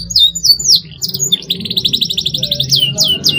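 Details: Canary song of the cuit cuit style, used to stimulate young canaries to sing: down-slurred whistled notes, then a fast rapid trill of buzzy repeated syllables, ending in more sweeping whistles, with a low steady hum beneath.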